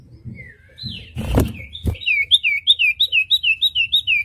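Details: Common iora song for training songbirds to sing: a thin descending whistle, a knock, then a rapid series of repeated bright slurred whistled notes, about four per second.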